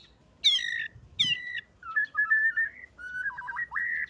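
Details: White-rumped shama of the bordan fighter type, singing with canary imitations: spaced whistled phrases, first bright harmonic notes, then wavering and warbled lower whistles, separated by short pauses, in a quiet setting.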